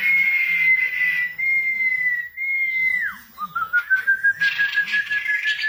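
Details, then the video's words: Actively singing female wambi: long clear whistles that sag and then dip sharply before resuming lower, followed by quick chirpy notes over a faint low background hum. "burung wambi cewek gacor"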